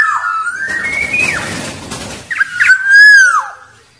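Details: Wild Black-naped oriole singing to lure rivals: a long upslurred whistle that drops sharply, a noisy gap, then quick liquid notes and a loud, pure fluty whistle that fades downward.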